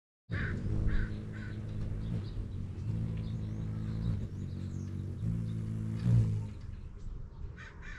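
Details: Anna's hummingbird's wings make a low, steady droning hum that swells and fades in pulses over several seconds, with a few faint higher chips at the start and end.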